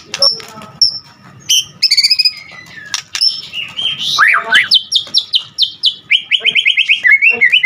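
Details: White-rumped shama singing a vigorous, full song packed with varied phrases: sharp high chips, quick fluttering notes, then a run of rapid rattled trills stepping down in pitch, and a fast repeated burst near the end.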